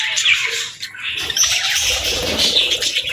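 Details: Budgerigar parents with their chicks, caring for and feeding the young; dense, scratchy high chatter of overlapping chirps and squawks, continuous for about three seconds, with a brief dip near the middle.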